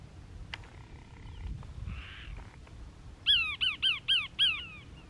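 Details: Cassin's Kingbird from a family group at Crystal Cove State Park, Moro Canyon, California, 19 December 2021; a sharp tick and faint buzzy note, then five loud, evenly spaced, ringing arched notes in quick succession against quiet background.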